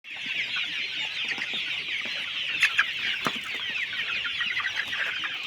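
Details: Chickens on a poultry farm, heard as a dense, unbroken chorus of high chirps and clucks from many birds, with a few sharper calls standing out near the middle.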